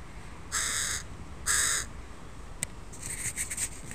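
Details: Crow family with youngsters in a park, recorded on a Sunday: two loud, hoarse caws a second apart, then a sharp click and a few fainter, shorter rasping calls trailing off.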